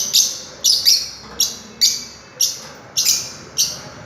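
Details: Fischer's lovebirds (Agapornis fischeri) give shrill, high, harsh chirps, singly or in quick pairs, about every half second, with no other clear sounds.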